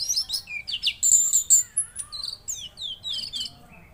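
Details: Rapid, continuous chatter of a mangrove blue flycatcher singing actively: many quick slurred whistles and high twitters, tumbling up and down, with barely a pause throughout.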